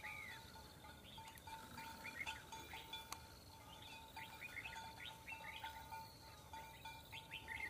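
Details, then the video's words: Red-whiskered bulbul, a decoy bird kept to fight a trapped rival, giving short rising and falling chirps and whistled notes in quick runs throughout, with a steady faint hum in the background. "Bẫy Đấu Chào Mào"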